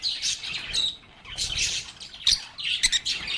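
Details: Lovebirds, also called parakeets, singing and chirping together: shrill twittering phrases and sharp high squeaks in quick overlapping bursts, with soft low rumbling underneath.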